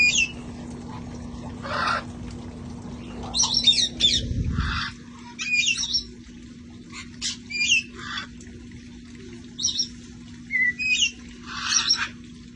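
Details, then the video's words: A flock of sanctuary parrots outside enjoying life before cold weather: scattered harsh squawks and shrill chattering notes throughout, with a rumbling rustle early on that fades, and a continuous low hum beneath. "sounds of parrots having fun outside enjoying life"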